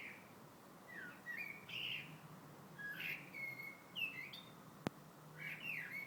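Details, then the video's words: February birdsong of short whistled slurs, each phrase rising or dipping, delivered at irregular intervals over steady low background noise, with one sharp click midway. "Vogel singt."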